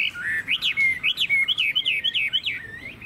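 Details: Chinese hwamei in a cage in Vietnam whistling a run of sharp rising-then-falling notes, rapid and strongly repeated, in loud hót hét singing.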